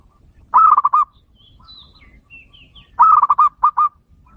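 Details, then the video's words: Local zebra dove (perkutut lokal) singing: two bursts of rapid, rolling coos around the same low pitch, each a quick run of four or five notes, about two and a half seconds apart, with faint thin whistles between. "masteran perkutut lokal TER AMPUH jamin langsung nyaut dan ikut bunyi"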